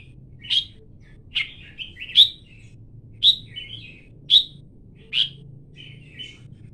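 Red-whiskered bulbul giving short, bright chirped notes, about one a second, some with a quick liquid flourish, over a low steady hum.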